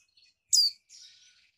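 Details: Female Mountain White-eye, caged in Malang, East Java, giving a male-arousing call: one intense high note sliding downward, followed by a long soft buzzy twitter.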